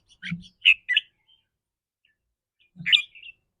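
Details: Red-whiskered bulbul giving short chirpy notes, the rapid 'rik' calls said to vary with the bird's mood that day: two quick bright notes, a pause, then one sharper note near the end, with faint low thumps.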